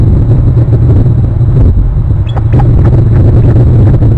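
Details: Loud low rumble of wind buffeting a microphone, with a few brief higher taps midway.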